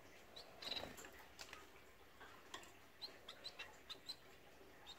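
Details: Blue-capped cordon-bleu giving short, thin, high chips, several in quick succession through the second half, after a louder rustling, clucking burst near the start.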